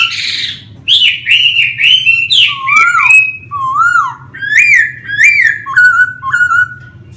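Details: Laughingthrush song: a string of about ten loud whistled phrases, some rising, some falling and looping, with short gaps between them and a faint low hum underneath.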